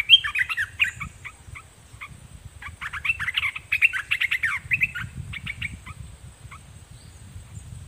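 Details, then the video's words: Red-whiskered bulbul acting as a decoy toward wild birds, delivering chattering, jumbled warbles in clusters for several seconds, then fading to sparse notes against low rumbling noise. "Suara merbah belukar gacor"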